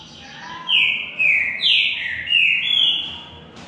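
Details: A singing duel between two green-winged saltators, with four or five loud ringing whistles, each dropping in pitch, in a quick phrase.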